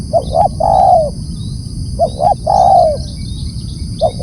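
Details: Spotted dove calling loudly: two short, quick rising coos followed by a long, mellow, slightly falling coo. The phrase is given twice about two seconds apart over low rumbling background noise.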